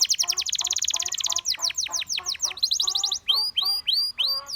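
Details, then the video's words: Singing Gloster canary, heard to spur other canaries into song, delivers a rapid rolling trill, then slower arched whistles and a quick rattle, ending in separate rising-and-falling piped notes. "Gloster Canary Seducing Friends to Sing!"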